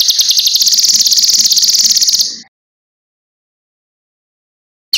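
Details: Cucak kinoi singing as a master recording for training other birds: a fast, high, buzzy trill of evenly spaced pulses for just over two seconds, then abrupt silence, then the trill resuming at the very end.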